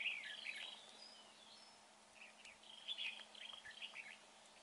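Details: Red-whiskered bulbul, caught up in a trapping session and said to have a good voice: a brief bright warble at the start, then softer scattered chirping phrases, fairly faint over a low hum.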